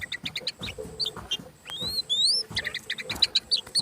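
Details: Tame oriental magpie-robin in full song, spreading its tail, used to provoke other birds into singing: varied short chirps and clicks, then long rising whistled slurs, followed by more rapid chattering notes.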